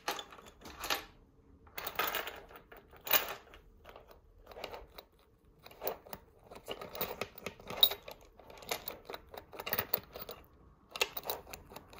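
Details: Jangling bell rattles and clattering taps indoors, with no clear animal call.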